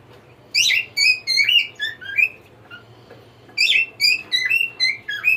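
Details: Cockatiel singing: two bursts of bright whistled notes, each a quick run of about six rising and falling slurred whistles with ringing overtones, separated by a pause of roughly two seconds; faint low hum beneath.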